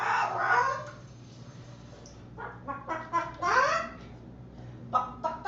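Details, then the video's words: Captive Moluccan cockatoo at home giving laughing, barking and talk-like sounds: a long raspy opening call followed by several short, sharp, rising squawks and barks. "Laughing, Barking and Talking"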